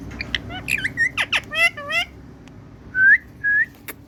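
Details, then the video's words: A pet Indian parrot gives a burst of squeaky, warbling syllables in quick succession, then two clear rising whistled notes about half a second apart, indoors, calling "Mithu" in a sweet voice. "My Cutie Parrot✨️Calling Mithu💕Mithuu In Very Sweet Voice"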